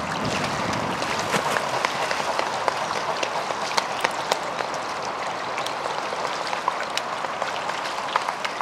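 Dense crackling patter of splashing or falling water dominates throughout, with sharp irregular clicks and no clear animal voice.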